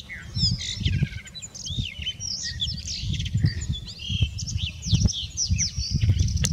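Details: Singing male Blue Rock Thrush, recorded 2019-03-24, pours out quick fluty phrases of sliding whistles and chattering notes. A loud low-pitched rumble runs throughout, with occasional clicks.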